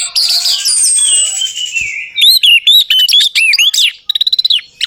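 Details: Lure song of the orange-headed thrush, played to prompt a silent bird to answer. A drawn-out descending whistle leads into a fast series of looping whistled notes, ending in a quick rattle of short clicks.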